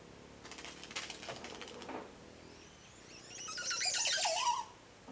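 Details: In Tikal, Guatemala, a Montezuma oropendola gives a bubbling, gurgling burst of liquid notes ending in a deep slurred note, after a second of dry rattling clicks.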